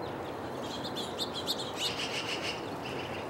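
A house finch gives quick, bright chirps and short twittering notes, several each second, over a steady hiss of background noise.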